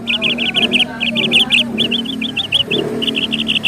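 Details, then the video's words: Bird giving quick runs of bright, chirping notes in short bursts, with a low rumbling background and some voices. "BIRDS SOUND"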